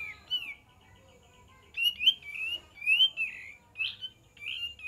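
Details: A kapas tembak sings a lure song meant to get other birds to answer. A brief whistle opens after a long quiet spell. Then comes a run of about six wavering, slurred whistles.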